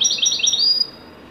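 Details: Moroccan goldfinch of the Wedani type in a joyful, top-form performance: a brief burst of rapid, bright, rolling notes high in pitch, repeated about five times, then fading to quiet.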